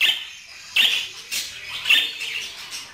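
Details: Budgerigar giving three harsh, scratchy chirped bursts about half a second apart, trailing into softer twittering.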